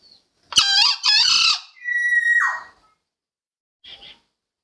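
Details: Green junglefowl crow, used as a lure for trapping: a loud, harsh, raspy double burst, then a drawn-out thin whistled tail that drops at the end, followed after a pause by a brief faint note.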